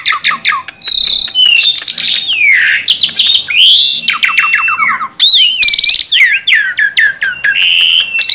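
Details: Long varied song from a tame Asian pied starling, mixing clicking chatter, swooping whistles that dip and rise, dense rattling trills, and looping slurred notes, all delivered loudly with almost no pause.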